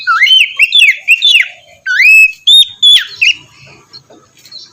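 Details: Morning song of an Oriental magpie-robin (kacer), used to encourage a lazy bird: quick twisting whistled notes, then a long upswept whistle and two ringing chirps, with faint low background sounds.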